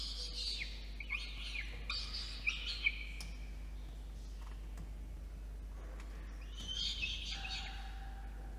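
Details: In a water-tower nest box in Orange, NSW, Australia, a peregrine falcon chick begs while the adult male brings dinner, 8:56 PM on 5 November 2021; harsh wailing screams in clusters, a quieter gap, then another burst.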